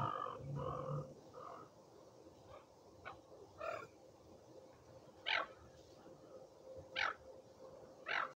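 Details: Silver gull (Chroicocephalus novaehollandiae), call.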